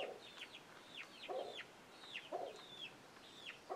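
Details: Chickens and young chicks, where an alert makes the chicks scramble; a few clear falling peeps alternate with three short, muffled low clucks.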